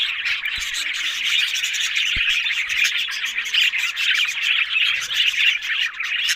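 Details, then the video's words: Loud, dense budgerigar chatter, a continuous buzzy warble of overlapping chirps and trills from many birds, unbroken throughout. "Amazing Talking Happy Budgies Sounds"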